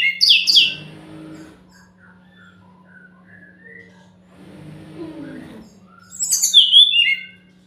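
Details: Brown-chested jungle flycatcher song played to make other birds answer: loud high whistled notes open and close the passage, with quiet murmuring and low rumbling sounds in between.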